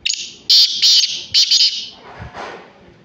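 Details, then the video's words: Black francolin calling in the morning: a loud, harsh, high-pitched phrase of several clipped bursts in quick succession, fading into faint rustling background. "کالے تیتر کی صبح کی خوبصورت آواز"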